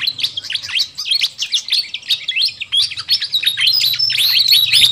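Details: Noisy fantail flycatcher lure sound meant to draw in wild birds: rapid, irregular bursts of sharp chirps and short swooping whistles, about three per second, over a faint low hum.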